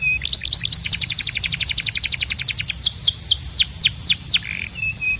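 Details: Canary training song to teach young birds: a very rapid high trill of repeated notes, then widely spaced deep downward sweeps and a short buzzy note at the end.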